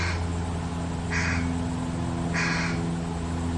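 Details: Fish crow fledgling, an only child this year, being fed by its attentive parents; two short, harsh nasal calls about 1.3 seconds apart over a steady low mechanical hum.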